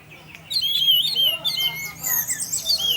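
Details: Orange-headed thrush in 'teler' singing, played to provoke other thrushes into song; after a quiet start, a loud stream of high, twisting whistles and rising and falling slurs continues to the end.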